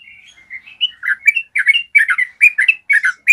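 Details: Clear long 'ropel' song of a yellow-vented bulbul, used as a master recording to train caged bulbuls. Warbled and slurred notes run steadily into a fast, bubbling series of loud, chattering phrases, with no background noise.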